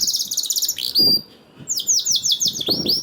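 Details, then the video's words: Canary song meant to coax other canaries to sing: a rapid buzzy trill, a brief pause, then a quick series of descending chirped notes ending with rising whistles. "PANCINGAN KENARI 1 MENIT MENDENGARKAN SUARA KENARI DIJAMIN KENARI IKUT BUNYI #21 || VOICE OF CANARY"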